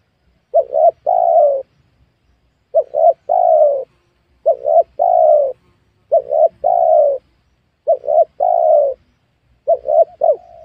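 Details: A spotted dove coos repeatedly during the luring of wild doves in a small oil palm plantation on new land. About six phrases come roughly every one and a half to two seconds, each two clipped notes and a drawn-out coo, steady and clear.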